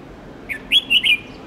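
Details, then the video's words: Red-whiskered bulbul song used to teach young birds; one quick phrase with a soft opening note followed by three loud, rich whistled notes, dipping and rising, against a quiet hiss. "Luyện chào mào Hót Nhiều Giọng âm 7-8-9-10 cực dài/Ép chào mào non,má trắng học giọng hiệu quả"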